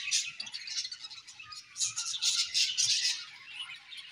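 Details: Budgerigars chirping in the morning, a softer, steady stream of high twittering warbles with uneven pulses and a faint low hum in the background.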